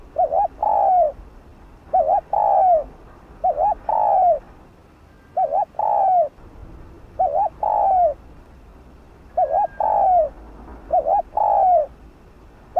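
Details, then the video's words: Spotted dove calling to lure wild doves in Vietnam: a steady run of two-part coos, a quick wavering note then a drawn-out falling one, roughly every two seconds, the rhythm even and full. "Cu gáy kích bổi nhanh nổi/cu gáy Gù,Thúc kích mồi/Kích bổi mau gáy,kích chim rừng mau về"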